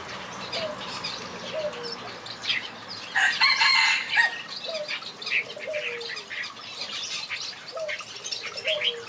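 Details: Finches in a backyard aviary sing together: a busy mix of short high chirps and twitters, a louder burst of chatter and wing flutter near the middle, and soft low descending notes repeating through the recording.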